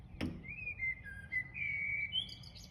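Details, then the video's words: An unidentified bird sings a drawn-out whistled phrase at sunset, smooth notes sliding slightly up and down, then rising at the end, after a brief knock at the start. "Unique bird singing tune"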